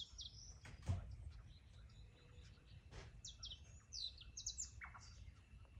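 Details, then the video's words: Singing canary with varied fast trills and twittering notes, growing denser and louder in the second half, plus a couple of soft knocking thuds and low background noise. "Hermoso canario"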